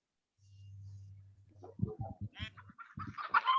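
A chicken gives a few clucking and harmonic calls over a steady low electrical hum.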